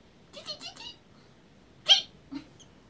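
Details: Hungry baby swallows in a storeroom begging: a quick cluster of thin chirps, a pause, then one loud shrill squeak and a couple of fainter peeps.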